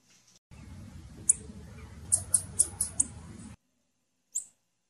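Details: High, sharp chips from a female blue-black grassquit, first singly, then a quick run of five, over a low hum that cuts off before a final chip.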